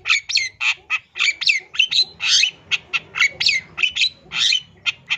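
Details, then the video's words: Long-tailed shrike of East Java whose song is crammed with mimicked fillings, used as a lure for any shrike: dense, rapid harsh notes with interspersed whistled slurs, delivered without pause. "CENDET JATIM SUARA FULL ISIAN MEWAH SANGAT COCOK BUAT MASTERAN PANCINGAN CENDET JENIS APAPUN"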